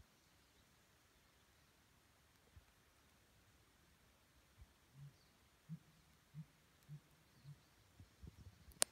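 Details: Unidentified bird on Larch Mountain Road, Oregon, around 7 AM on May 6, 2017: after a long near-silent stretch, about eight low, muffled hoots come in a slightly uneven series, ending with a sharp click.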